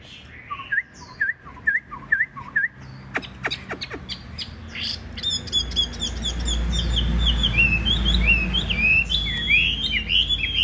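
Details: Chinese hwamei in fighting display: repeated short downslurred whistles, several sharp clicks, then a fast cascade of loud whistled phrases over a rising low rumble.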